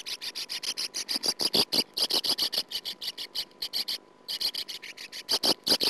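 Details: Nest-camera recording from 2009 of a sand martin at its nest: loud, almost continuous trains of harsh rasping notes, briefly broken by a one-second gap, then resuming.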